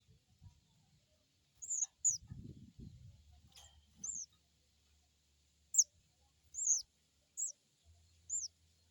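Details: Crested jay crecet call, used as a lure to get an untrained bird to call: high, arched chirps in scattered pairs and singles over about nine seconds, with soft low rustling and thumps in between.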